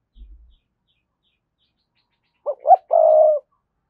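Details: Spotted dove coo played as a decoy to draw calls from other doves: after a brief low rumble and a quiet pause, one phrase of two short rising hoots followed by a long, level, husky coo.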